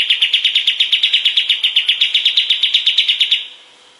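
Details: Master recording of a kapas tembak bulbul, meant for training other songbirds: a long, even trill of about twenty-four clear, sharp notes over three and a half seconds, then quiet.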